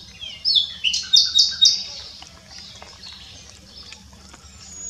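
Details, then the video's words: A common nightingale sings a brief, rich phrase of rapid high whistles and three or four loud repeated notes, then falls quiet under a faint background hum. Recorded at s'Albufera, Mallorca, in 2017. "Nightingale singing"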